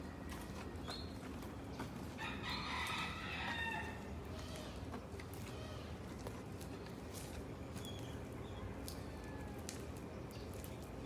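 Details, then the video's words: Rooster that tries to eat cardboard gives a single harsh, strained crow of about a second and a half, fairly distant and quiet, amid a hiss of background noise and scattered clicks and knocks. "Rooster makes noise"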